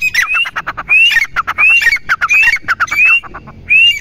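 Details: Teetar, the grey francolin, gives a rapid run of bright upward-sliding whistles, each followed by dense harsh clicks. The notes come about every 0.7 seconds in a busy, overlapping rhythm.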